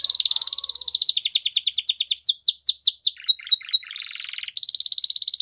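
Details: Belgian canary song used for training, opening with a fast rolling trill of downward sweeps, breaking into slower swooping notes, a short low rattling passage, then a steady bright high trill at the end.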